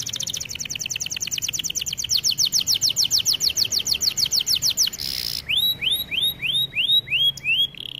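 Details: Canary singing as a training example, a long accelerating roll of rapid sweeping chirps, a brief harsh buzz, then a slower series of clear up-curving whistles.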